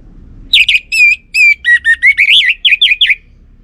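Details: Orange-headed thrush song used as a lure for a male: a continuous, varied string of loud whistled notes, some drawn out and gliding, others quick and wavering.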